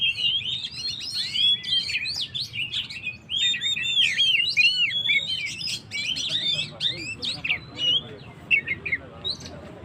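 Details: Oriental magpie-robin in full, lively song, meant to provoke stressed birds: a long torrent of varied whistles, chirps and quick slurred notes, changing rapidly and barely pausing for ten seconds.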